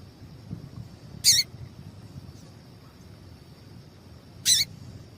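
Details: Female double-collared seedeater call, used to stir caged males into singing: two short, sharp, very high chips about three seconds apart over a steady thin high hiss and low background rumble.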